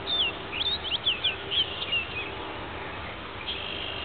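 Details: A male orchard oriole sings in twilight at Marais Temps Clair Conservation Area, northern St. Charles County, on 28 May 2010: a quick, jumbled two-second run of bright whistled notes, then one more note, over steady hiss.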